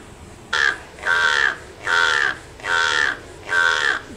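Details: African pied crow in an enclosure at the Alabama Gulf Coast Zoo, Gulf Shores, giving five harsh, hoarse caws, each about half a second long, roughly every half second, over quiet background hum.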